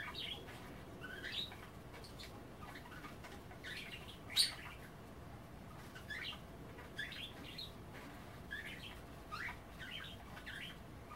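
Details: Budgies nibbling kale in water at bath time keep up soft, scattered warbling chirps and squeaky notes, with one sharp loud click midway and a faint hissing background.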